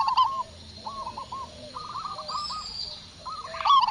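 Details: Strong-voiced local zebra dove in Indonesia reacting to a lure. Loud rapid coo bursts open and close the clip, framing quieter phrases of short repeated cooing notes.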